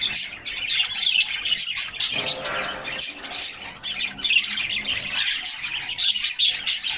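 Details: Canaries singing in unison in their cage during summer, heard through a fixed camera inside the cage; continuous high twittering and squeaky trills, with a short scratchy, noisier burst midway.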